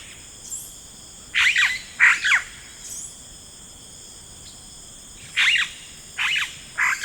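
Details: Yellow-rumped cacique in rainforest giving harsh, squealing notes in short bursts of two or three, with a steady insect hum in the background.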